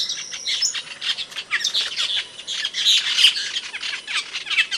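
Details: Asian glossy starling calling, an Indonesian songbird with a loud, sharp voice: a thin high whistle opens, then scratchy squeaks and sharp metallic chips chatter on in quick succession.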